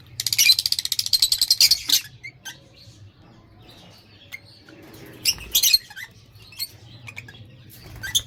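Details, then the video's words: Lovebirds chirping: an opening run of rapid, harsh high chirps for about two seconds, then quieter scattered notes, a brief loud burst later, over a low steady hum. "LOVE BIRDS SINGING AND CHIRPING SOUND"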